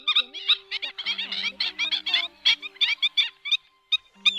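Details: Black-winged stilt gives sharp, yapping high notes in quick, uneven bursts over an electronic hum. It is a lure recording for night net-trapping of migrating birds in Vietnam in August 2024, said to include calls of chicks lost from the flock.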